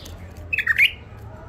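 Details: Wild-caught bulbul from the Mandali area, kept captive in its first isolation: one short, rich warbled phrase of quick rising and falling notes lasting about half a second, with a faint low hum underneath.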